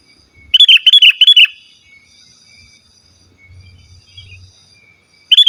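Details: Vigorous, unmixed song of a sooty-headed bulbul, used to call rivals and lure wild birds in the forest: a quick run of five loud, liquid whistled notes early on, a quiet gap, then another phrase starting at the end.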